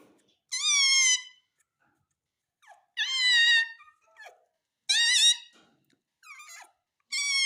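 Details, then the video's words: Talking parrot saying "mummy" (mummy mitthu), a clear, high-pitched, speech-like voice repeating the word about four times, each one second long and separated by short pauses, with faint clicks and small squeaks between them, in a quiet indoor setting. "मम्मी बोलने वाला तोता _ Mummy Bolne Vala Tota _ Talking Parrot _ मम्मी मिट्ठू"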